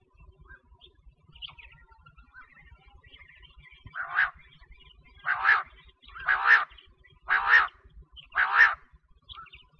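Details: Female quail calling: a series of five short, harsh rasping notes repeated about once a second, after a few faint scattered chirps.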